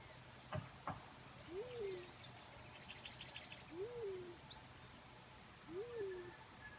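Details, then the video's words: Black-chinned fruit dove repeating a low, gentle hoot three times about every two seconds, each note climbing briefly then drooping. Sharp clicks near the start and scattered high chirps in the background. "Natural Sound Call Of A Black-chinned Fruit Dove"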